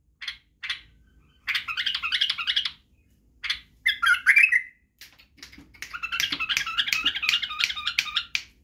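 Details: Bulbul song used to train young birds to sing: short chirps, then fast jangling warbled runs, one clear slurred phrase, and a long rattling, chattering stretch.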